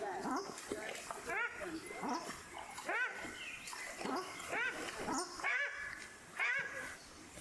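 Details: A brood of newly hatched Paradise shelduck ducklings on a lake in the Maungakotukutuku Valley, New Zealand, on their first afternoon on the water. They keep up a steady chorus of rising-falling peeps, several each second, overlapping one another.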